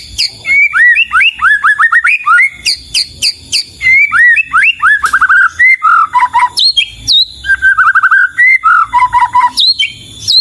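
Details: White-rumped shama singing energetically: a dense, varied stream of loud whistled notes, upward and downward slurs, quick repeated motifs and high sharp accents, rarely pausing across ten seconds.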